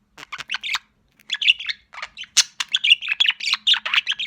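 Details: Pet budgerigar chick described as sociable, giving a quick string of short chirps and squeaky warbled notes, nearly continuous after a brief pause near the start, over a faint low hum.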